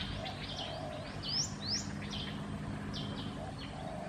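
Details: Black-headed bulbul at Sa Phang, Khao Yoi, Phetchaburi, Thailand, 6 and 9 December 2020: quick, bright chirps and short upslurred whistles in loose bursts, over a steady low rumble of background noise.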